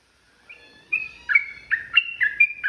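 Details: Yellow-vented bulbul starting a provoking fight song: a soft thin whistle, then a held note leading into quick bubbly two-pitched phrases, repeated about twice a second.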